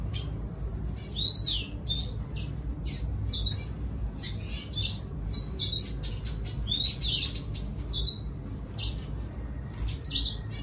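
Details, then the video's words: Red siskin song aimed at luring a female: separate high twittering phrases with quick slurred whistles and sharp chips, delivered in uneven bursts roughly every second or two against a quiet low hum. "Redsiskin sing a song , gray singer finch , thạch xám hót dụ mái"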